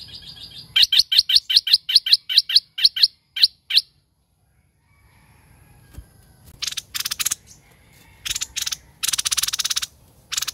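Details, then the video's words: Laughingthrush in lively warbling song: a fast run of about fifteen sharp, high chirped notes over four seconds, a pause, then harsh broadband bursts and rasping noises. "Hoành Hoạch Thơm Mồi Hót Líu Cực Đỉnh"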